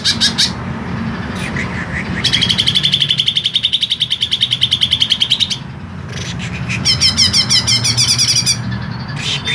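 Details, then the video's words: Green leafbird singing a long, rough-voiced masteran song: short buzzy bursts, then an extended rapid rattling trill of harsh notes, a brief pause, and another fast, high chattering series, with steady low hum behind. "CUCAK IJO MASTERAN PANJANG DAN SUARA KASAR"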